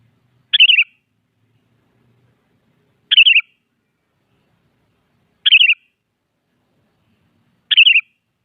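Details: Morning song of a sooty-headed bulbul challenging a rival, the same short bubbly phrase repeated four times at intervals of about two and a half seconds, with silence between.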